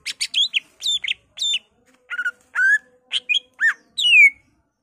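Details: Greater green leafbird in full, excited song, said to carry mimicked fill-ins of murai, poksay, cililin, kapas tembak and canary; rapid varied whistled notes, some sharply falling, some upslurred, in quick bursts with short gaps.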